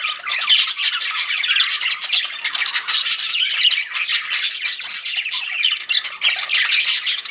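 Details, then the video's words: Pet budgies in a steady chorus of busy chirping, with overlapping scratchy warbles and bright whistled notes running on without a break. "CUTE PET BUDGIES CHIRPING"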